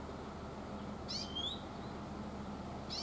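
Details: Single "chuiin" call of an Oriental greenfinch filmed in the mountains, one bright sweeping note with the start of a second at the end, over low hum.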